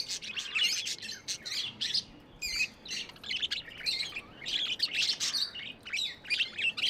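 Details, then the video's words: Budgies kept as pets give rapid chattering chirps and squeaky warbles, bursts packed closely together and rising and falling in loudness, with many birds calling at once. "Budgies amazing love & chirping sounds"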